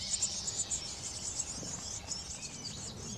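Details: Eurasian blue tits at a garden nest box, tending their brood, give thin, high chirps in quick, irregular bursts, several a second, over a steady hiss of background noise.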